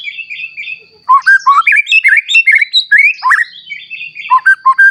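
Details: Murai batu, a white-rumped shama kept to provoke other shamas into full song, delivering loud rapid slurred whistles and chattering phrases after a quieter start.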